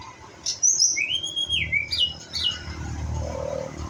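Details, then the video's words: Young white-rumped shama practising its song: a high whistle, then a long slurred whistled phrase that wavers and drops, followed by short sharp notes over a low rumbling background. "murai batu pastol belajar bunyi"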